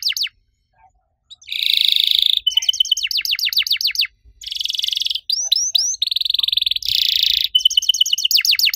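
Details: Canary in the 'riwik' style meant to set other canaries singing, alternating loud buzzy rolls with rapid runs of descending chirps and a few curled notes, separated by short silences.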